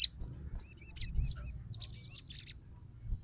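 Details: Softer, high twittering phrases and squeaky notes from a fighter Crimson Sunbird responding to a rival sogon's song, with low background hum.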